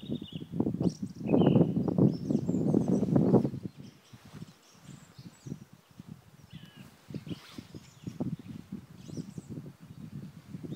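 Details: In the eastern Ore Mountains on 2 April 2016, a black grouse produces a loud low bubbling roll, then softer, choppy murmuring pulses continue, with scattered high bird notes behind.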